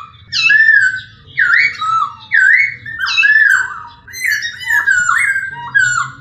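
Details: Masked laughingthrush (poksay hongkong) repeating loud, looping whistled phrases roughly once a second, each a swoop that rises then falls, with brief quieter gaps and a low hum beneath.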